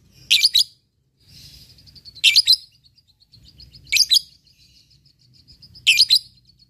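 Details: Lovebird from a recording aimed at provoking rivals and training fighter birds: harsh high bursts about every two seconds, with soft rapid chittering in between.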